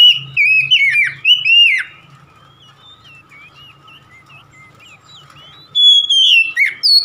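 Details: Oriental magpie-robin kept in a cage sings rapid twisting whistles and chirps, fades to soft scattered notes over a steady faint hum, then returns with a long bright whistle and descending slurs.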